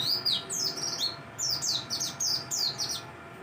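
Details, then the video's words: Mountain white-eye singing in the morning: high, thin twittering phrases of quick falling slurred notes, delivered in bursts of three or four with short pauses, over a faint background hiss. "kicauan dakbal...di pagi hari.."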